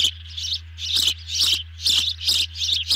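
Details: Evening feeding of ospreys at a camera-watched nest, 18 June 2020. Loud, harsh high chirps in quick succession, about two each second, over a steady low hum.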